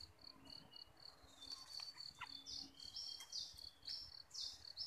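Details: A captive bulbul used as a decoy bird sings high, thin notes about twice a second, then breaks into brighter, quicker phrases over a soft background hiss.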